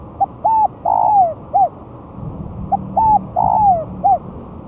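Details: Spotted dove a month after moulting, tried on the ground and singing vigorously, used as a lure: two full phrases about two seconds apart, each a soft short coo, a paired note, a long descending rolled coo and a closing note.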